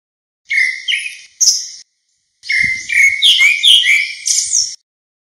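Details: Grey-backed thrush flock call: two brief bursts of high, rough whistled notes, then after a gap a longer tangle of slurred whistles and chirps.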